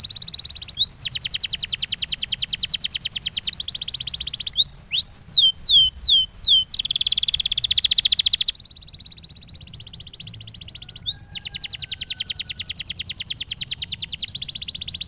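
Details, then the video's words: Masteran canary training recording: long steady buzzy rolls broken by sharp upward whistles and a short run of swept notes, the rolls continuing at differing pitches. "Canary Secret: Clear Masteran Sound for Duration & Rhythm Quality"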